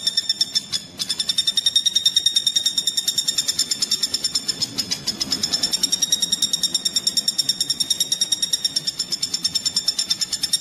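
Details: Pelatuk bawang, the common flameback, in a training recording for kacer and other songbirds. A long unbroken series of quick, sharp, nasal notes runs at about seven per second, slightly wavering in pitch, with faint low background hum.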